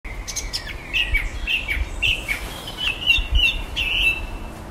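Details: Common blackbird singing in the evening at the bottom of a garden, mimicking electronic noises: a string of short, sharp electronic-sounding bleeps and chirps repeated at about half-second intervals over faint low background rumble.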